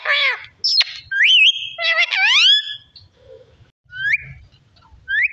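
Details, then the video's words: A talking parrot gives a loud, varied run of harmonic squawks and swooping whistled notes, some wavering up and down, then pauses before brief rising whistles near the end. "Beautiful parrot talking"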